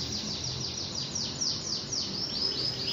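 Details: Canary singing a fast series of downward-swooping whistled notes, each repeated several times in a row, over steady background hiss.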